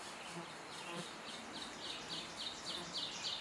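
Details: Pileated woodpecker at a nest and feeder in forest, calling as a run of rapid, buzzy, insect-like notes, about three or four a second, growing slightly louder, over a low hiss.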